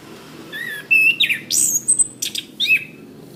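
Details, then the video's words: Master recording of an orange-headed thrush for tutoring caged birds: a few clear whistled notes, then squeaky, rasping high phrases and thin sharp chips, delivered in short separated bursts over a faint low hum. "Suara Bunyi Masteran Anis Kembang"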